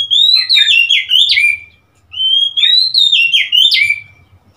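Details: Oriental magpie-robin, 3 March 2021, singing two closely matched loud phrases separated by a short pause, each a string of bright whistled notes that climb, drop in steps and end on a sharp upslur and trailing whistle.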